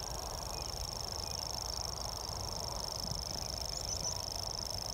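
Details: A very close Grasshopper Warbler (Locustella naevia) at Luss, Loch Lomond, late in the season, reels without a break, a high, dry, insect-like trill held steady, over a low rumble of wind or distant traffic.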